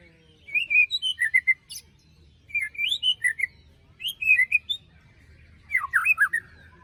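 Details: Four bursts of white-rumped shama song, used as a lure for post-moult birds that fell silent. Each burst is a quick string of bright whistled notes with sharp up-and-down slurs, the last burst harsher and descending.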